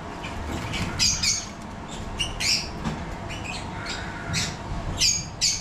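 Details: Yellow-collared lovebirds in a captive breeding setup, short separate shrill squawks and squeaks spaced irregularly, roughly one every half second to second, over steady low background noise.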